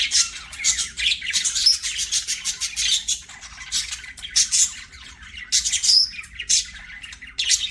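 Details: Playful budgerigar song: continuous high, raspy twittering and clicking notes with a few clear whistled pips, steady chatter throughout without long breaks.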